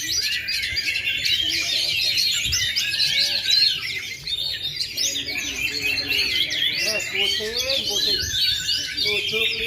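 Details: Oriental magpie-robin, a bird that went 2.5 years without molting yet still performs at full power, pouring out a dense, unbroken stream of varied whistles, trills and chattering phrases, with faint low murmurs behind.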